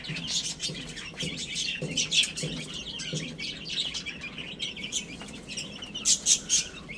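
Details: Little chicks at play and feeding: constant high-pitched cheeping from many birds, short downward peeps tumbling over one another, with faint soft taps underneath.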